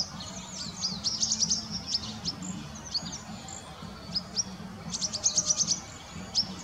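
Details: A group of about 35 cedar waxwings perching in a bare tree and searching for berries give very high, thin, hissing notes in quick bursts from several birds at once, over a low steady hum.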